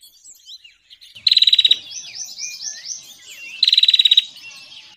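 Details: Bar-winged prinia trapping lure call: two loud, rapid, evenly spaced rattling bursts about two seconds apart, with high, busy twittering and chirps filling the gap and the background.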